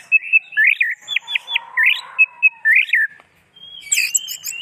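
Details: Kept orange-headed thrush (anis merah) singing: clear whistled phrases with quick rising and falling slurs, short repeated upswept notes, a brief pause, then a high sustained whistle and sharp chirps.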